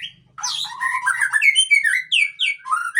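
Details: Murai Aceh white-rumped shama, a strong male, bursting into a rapid stream of chattering notes and clear sliding whistles after a brief quiet start.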